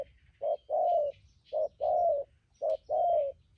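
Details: Spotted dove, a decoy bird kept for trapping, prized for its good voice and urgent 'thúc gù' cooing; low hollow coos in pairs, a short note followed by a longer slurred one, repeated three times, faint thin chirps behind.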